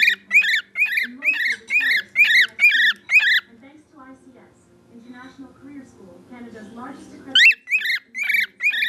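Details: Attention-seeking whistles from a pet bird kept indoors: a steady run of shrill, upward-flicking notes, then a lull filled with faint low murmuring, then the whistling resumes.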